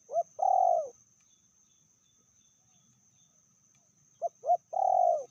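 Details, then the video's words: Spotted dove from Indonesian bird-luring hobby circles, a female said to be fiercer than the male; two cooing phrases, each one or two short hooting notes followed by a long, slightly falling, trembling coo, in a quiet setting. "Betinanya lebih ganas dari jantannya/bl suara sedang"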